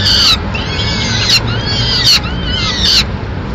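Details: In Madrid on 29 April 2016 a peregrine falcon mother brings food to the chicks: a few drawn-out, high, arching wails, each ending in a sharp piercing note, with low background hum.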